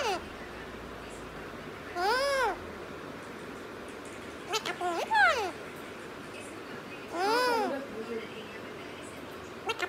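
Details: Parrot talking in Punjabi: three separate harsh, arched, strongly harmonic utterances a few seconds apart, the middle one broken into quick choppy syllables, in a quiet room.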